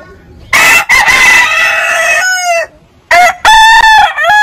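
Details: Heritage-breed roosters crowing in a long-crow compilation. Two bright, overlapping crows are followed by a falling tail, a quiet gap, and then a cleaner, steady crow broken by brief cuts.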